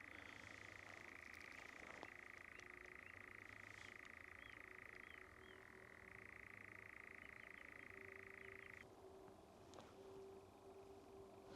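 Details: At night on a Surrey heathland in June 2024, a European nightjar gives a long, unbroken mechanical churr that shifts briefly lower partway through, then cuts off, over a quiet steady hum.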